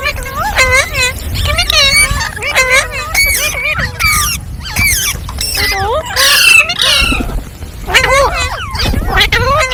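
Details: A group of green parrots calls steadily, with strings of strongly harmonic, upward-swooping squawks packed closely together over faint low background noise.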